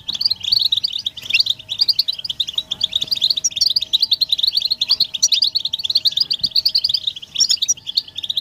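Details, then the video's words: European goldfinches chattering together in a stimulating mating-call chorus; an unbroken stream of quick bright chirps and trills layered on top of each other, with a faint constant hum in the background. "بتبتة حسون الشوك تحفيز الحسون على التغريد والهيجان علاج صمت الحسون goldfinch stimulation"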